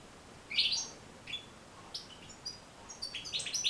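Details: European goldfinch song used for training and motivating goldfinches to sing: scattered high twittering notes and short bright trills, quiet at first and building into denser chirps at the end, over a faint hiss.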